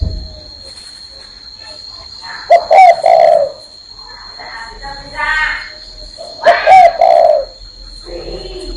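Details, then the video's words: Spotted dove sitting on a person's hand gives two deep cooing phrases about four seconds apart. Each has quick short notes followed by a drawn-out low coo. Someone speaks softly between the phrases. "CHIM CU Đậu trên tay vẫn gáy"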